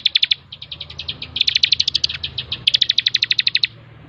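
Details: Bar-winged prinia in a lively song master recording for training birds: rapid bursts of sharp, high, ticking notes, about seven or eight per second, broken by brief pauses.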